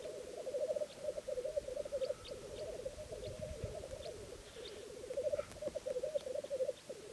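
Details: Black grouse at a spring lek in 2011 give a continuous low, bubbling, dove-like rookooing, with several males overlapping; a brief sharp hissing note and faint higher calls of other birds break through.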